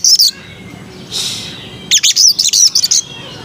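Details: White-rumped shama with a melodious voice: a short high trill, a pause with a soft rushing sound, then a rapid run of high sharp chattering notes.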